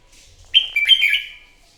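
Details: Competitive morning singing by a wild-caught red-whiskered bulbul: one clear, ringing phrase under a second long, a sharp whistled start melting into a rolling, slightly descending warble, in near silence.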